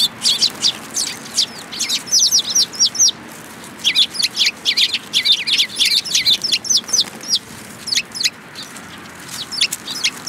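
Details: Several Eurasian tree sparrows coming to be fed at a Tenmangu shrine, 10 February 2022: a busy chorus of sharp, high chirps, many overlapping and closely spaced, over faint low rumble.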